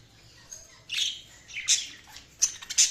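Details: Budgerigars chirping: a few bright, scratchy chirps and short squawky bursts, louder toward the end, over a steady low background hiss.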